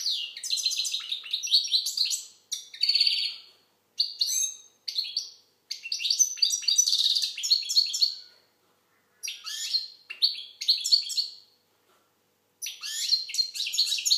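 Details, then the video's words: Song of an Algerian goldfinch, or maqnin: long rambling passages of high, rapid tinkling and chattering notes mixed with harsh buzzy stretches, broken by a few short silences. "Chardonneret algérienحسون. مقنين"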